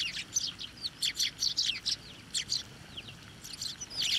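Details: At a Tenmangu shrine on 24 November 2023, sparrows being hand-fed and fed on posts chatter in lively, bouncy chirps, several birds overlapping with brief gaps, some notes slurring downward.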